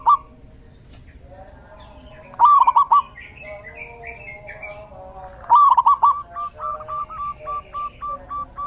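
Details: In the rainy season, a zebra dove gives two loud broken trills about three seconds apart, followed by a steady series of short clipped notes, with chirping birds faintly behind.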